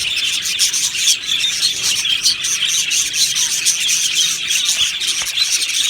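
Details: Many budgerigars in an aviary chirp together, forming a steady, busy high warble of quick squeaks and twitters with no gaps.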